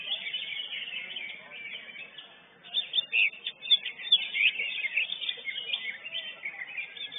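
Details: Lesser green leafbird singing at a bird-singing competition where it took first place; softer warbled phrases give way after a brief lull to a louder, dense run of sharp whistles and chattering notes.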